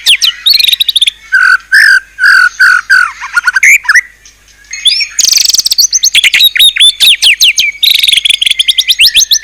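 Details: White-rumped shama delivering luxurious isian-style song: lower, rounded warbled notes, then a short pause, then a loud rush of very high, rapid, sharply repeated whistles and chips.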